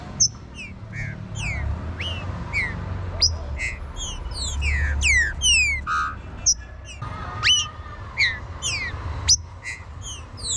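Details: Green-winged Saltator warm-up song: a busy run of sharp, clear whistled notes, many sweeping steeply up or down, with one long level whistle, over a low background hum.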